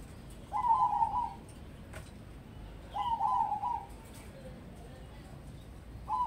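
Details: Zebra dove of crossbred stock, groomed as a prospect for singing contests, delivering two rhythmic rolling coo phrases about two seconds apart, each a fast bubbling series of short notes, with a third phrase beginning at the close; faint low rumble behind.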